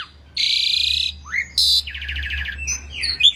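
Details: Jalak suren (Asian pied starling) singing masteran song: a long harsh buzzing screech, a rising whistle, another rasp, then a stuttered trill and scattered bright whistles over a steady low hum.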